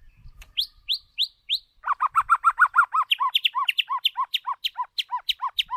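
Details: White-rumped shama lure bird singing during voice training: four high upslurred whistles, then a long rapid series of lower, rhythmic looping notes repeated about three times per second, ending in a steady chant.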